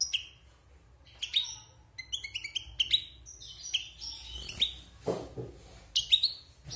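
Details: Wild European goldfinch kept in a cage since its moult, giving spaced high chirps and twittering phrases with rising slurred notes, one lower harsh note in the middle.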